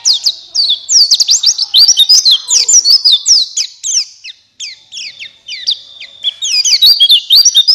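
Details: Shrill, continuous twittering from a buxtoni white-eye, played to prompt other white-eyes to open their beaks and sing: dense, fast, slurred high notes with brief breaks.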